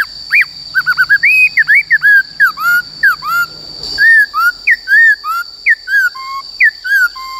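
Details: Black-throated laughingthrush in captivity singing the forest-voice style used for voice training: fluent rapid whistles, slurred up and down in varied loops, delivered nearly without pause, with a steady high hum behind.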